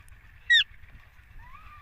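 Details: Green ringneck parrot among a group said to be talking "mitthu mitthu"; one loud, sharp descending squawk, followed by softer drawn-out voice-like tones sliding down.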